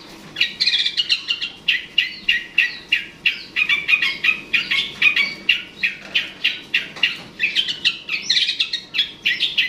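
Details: Long-tailed shrike used to lure a rival bird: a steady, fast stream of harsh chirps and squeaky notes, about three per second, varied in pitch and sustained for nearly ten seconds.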